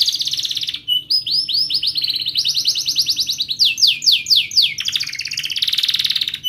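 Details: Canary singing a tutor song meant to teach young birds to sing: continuous bright trills and rapid rolling chirp series, shifting from buzzy rattles to fast repeated sweeping notes, loud and unbroken throughout.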